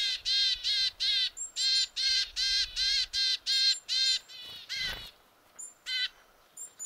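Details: Willow tit calling forcefully, a fast run of harsh, nasal, buzzy notes, about ten in four seconds, then a few scattered thinner high notes; a carrion crow also calls.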